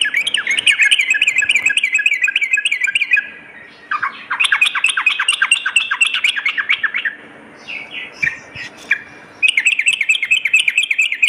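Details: Sooty-headed bulbul, recorded as a lure to prompt other birds to sing morning and night: repeated fast chattering phrases, several with sharp high clicks, broken by short pauses and a few scattered single notes.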